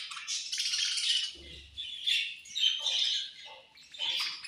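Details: Several budgerigars at food time give dense, overlapping high chattering chirps and harsh squawks, nearly continuous with brief dips.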